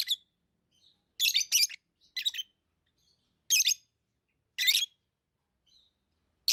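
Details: Harsh, high, squeaky chirps from tame lovebirds, given as doubled notes and lone calls at irregular intervals of roughly one second.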